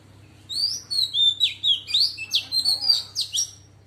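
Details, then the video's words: Female Oriental magpie-robin singing in wild forest-style voice to rouse males: a rapid run of clear, sliding whistled notes, some rising, some falling, about a dozen phrases packed into three seconds, over a steady low hum. "Choè than mái hót giọng rừng kích trống căng đét"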